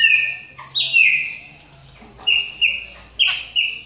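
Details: Chopi blackbird in moult, warming up its voice: a slurred, falling whistle opens, followed after a pause by pairs of bright, flat whistled notes with sharp attacks, set against a low hum.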